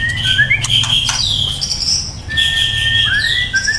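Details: White-rumped shama, a young bird, sings loud, bright whistles: quick high trilled phrases and sweeping glides, a long level note and a final dipping slur, with intermittent clicks and low hum.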